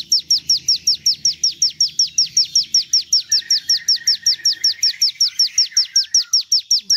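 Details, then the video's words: Javan tesia song, loud and close: a fast, very even series of sharp high notes dropping steeply in pitch, about two and a half per second, with a softer lower warble beneath midway. "Lagu asli ciblek gunung"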